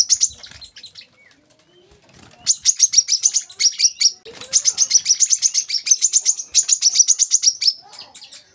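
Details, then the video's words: Olive-backed sunbird (kolibri kelapa) opening with a brief high phrase, a quiet gap, then a long, fast, steady trill of piercing high notes running for about five seconds. "kolibri kelapa | wiceh | manggar"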